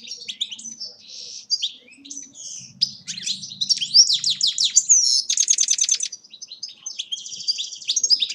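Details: Continuous, sprightly song of a European goldfinch recorded in Agrinio, Greece: tumbling high twitters, buzzy trills and sweet metallic notes delivered rapidly, with a faint low murmur in the background.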